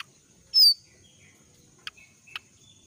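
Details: One loud, quick, downward-slurred whistle from a young forest jongkangan during its moult, followed by two soft clicks, against a faint continuous high-pitched hum.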